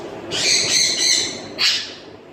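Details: Home-kept grey parrot pair: a long grating screech that wavers in loudness for over a second, followed by a shorter sharp squawk, with soft room noise behind.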